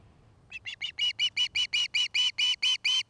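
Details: Osprey at its nest in Charlo, Montana, on a nest camera: loud, rapid whistled chirps rising in volume, about a dozen clipped notes repeated roughly twice a second.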